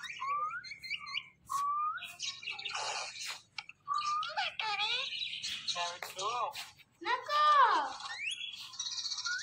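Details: A talkative pet Indian ringneck parrot runs through rapid mimicked speech, with rising whistled syllables, wavering harmonic phrases and brief chirps packed closely together, broken by a few short pauses.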